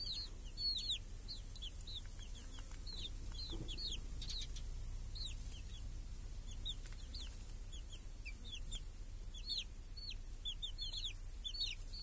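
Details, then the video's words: Chicks and hens feeding under a protective cage in a village on a clear summer day: many high, downward-sliding peeps in irregular clusters throughout, with scattered clicks and a constant low rumble. "Chickens and hen in the village | Sounds with chicks on a clear summer day"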